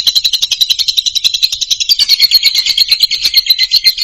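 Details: Lovebird singing loudly in a continuous shrill chatter of fast, evenly pulsed high chirps. The pitch dips slightly partway through, with no other sounds.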